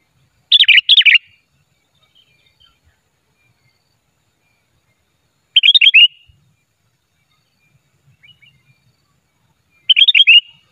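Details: Sooty-headed bulbul lure song for trapping, unedited: three short chattering whistled phrases spaced roughly five seconds apart with quiet gaps between.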